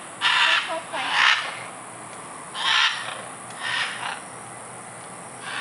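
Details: Scarlet macaws playing in trees at Tambor, Costa Rica, in February 2011 give harsh, raucous squawks, five rough screeches about a second apart, over faint hiss; an onlooker remarks they're mad.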